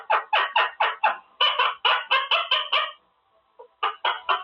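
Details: Caged male Quaker parrot practising words: a string of about eleven loud, evenly spaced clipped syllables, a brief pause with a faint note, then three more sharp syllables.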